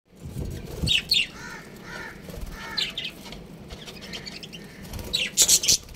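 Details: Budgerigars, a breeding pair kept as pets, chirping: scattered short bright chirps and warbled notes, louder bursts near the start and a sharp cluster toward the end, over a steady low background hum.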